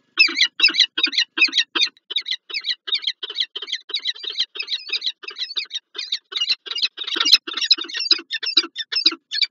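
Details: Pair of wild Peregrine Falcons meeting in the morning at a nest site on the PGE building in Lublin, Poland, 19 January 2024, giving harsh, rasping calls repeated about two to three times a second in a steady chattering series.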